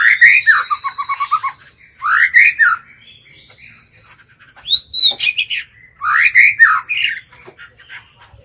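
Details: Decoy pet white-rumped shama singing to call and provoke wild birds: loud rising whistled phrases with harsh overtones, each falling into a fast run of rippling notes, in three bursts separated by quieter thin whistles.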